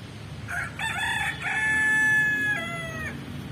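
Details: Rooster crowing once, a loud harmonic call with short opening notes and a long drawn-out final note that falls off at the end, over low background rumble.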